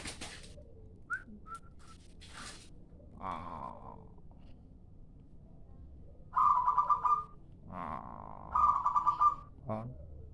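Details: Zebra dove of a local type giving a lure call: two rapid stuttering coo bursts about two seconds apart, each followed by a lower softer note, with earlier faint clicks.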